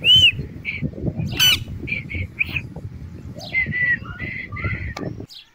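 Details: Pet Indian ringneck parakeet in front of a mirror; a run of short squawky chirps and a few thin whistled notes, spaced irregularly, with light rustling between them.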